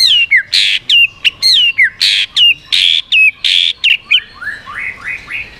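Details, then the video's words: Song of a white-rumped shama aimed at provoking other birds: rapid alternation of high descending whistles and loud harsh buzzy bursts, repeated about three times a second, ending in a run of softer rising notes. "chòe lửa hót giọng yến reo,bắn dây đảo giọng đánh đuôi kích chim cực mạnh"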